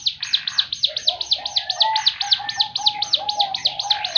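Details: Javan fulvetta, known locally as ciblek gunung, delivers its prized 'tembakan' song: a rapid, regular volley of piercing high chips, roughly four each second, over faint lower sliding tones.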